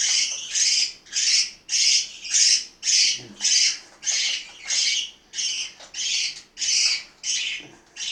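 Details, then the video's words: Mealtime calling by household parakeets in Itaim Paulista, São Paulo: a regular series of about fourteen coarse, high squawks, each roughly half a second apart. "Periquitos do Itaim Paulista - SP - Hora da refeição"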